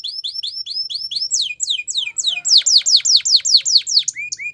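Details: Canary singing a run of evenly repeated whistled notes, shifting into falling slurred phrases and then loud sweeping notes that drop sharply, about three per second, ending with short rising whistles.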